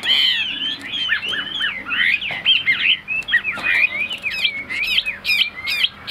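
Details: Caged Chinese hwamei in Vietnam singing a lively string of bright whistles, each slurred up and down, with quick accented notes and high sharp flourishes toward the end.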